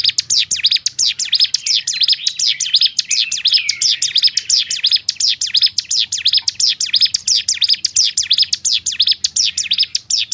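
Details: Rapid 'ngebrem' singing from a bar-winged prinia (ciblek gunung), aimed at firing up other prinias: steady streams of shrill, high chirps packed closely together for ten seconds, nearly without pause.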